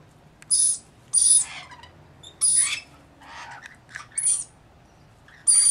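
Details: A flock of roughly 40 rainbow lorikeets tending one baby bird makes six rasping screeches spread over several seconds, separated by quiet gaps.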